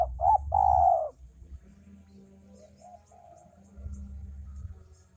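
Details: Male spotted dove, used for training: a loud, low, hollow cooing phrase of a short note then a longer drawn-out coo, followed by faint softer coos over a low rumble and a steady high hum.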